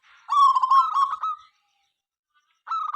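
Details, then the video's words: Local zebra dove in noisy full song, recorded to set rivals calling; one long rolling, warbled coo lasting over a second, then a short stuttering coo after a pause. "Perkutut Lokal Berisik Gacor Pagi Siang Malam Bikin Lawan Ikutan Bunyi"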